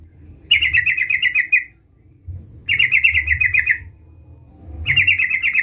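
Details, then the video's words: Energetic sooty-headed bulbul (trucukan) calling to a rival: three bursts of rapid, buzzy chattering notes, each about a second long, spaced roughly two seconds apart over a low background hum. "Suara Panggilan trucukan gacor Memanggil Lawan"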